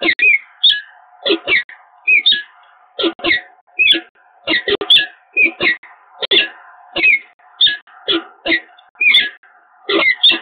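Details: Peregrine falcons at a nest site on the Evoluon, Eindhoven, Netherlands, on 7 March 2022, a pair meeting in an extended exchange: harsh, chattering notes repeated in quick bursts, with a steady low hum behind.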